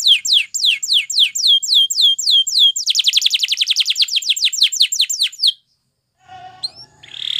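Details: Spanish Timbrado canary champion sings for training, with a series of falling whistled sweeps that speed up into a rapid, dense trill, then a pause and faint scattered sounds.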